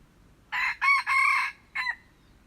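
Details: Red junglefowl crowing, recorded 21 February 2025: a loud harsh crow in three broken, buzzy segments followed after a short pause by a clipped final note, over a quiet background.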